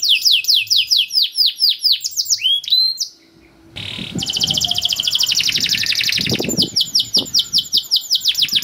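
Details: Canary singing, a model song meant to get young birds singing quickly: repeated descending whistled notes, a brief pause, then a long rapid rolling trill and more swept notes, with faint low background noise.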